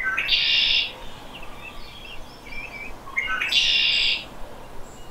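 Red-winged Blackbird giving two shrill phrases about three seconds apart, each a few short rising notes and then a harsh buzzy trill, over faint background chirps.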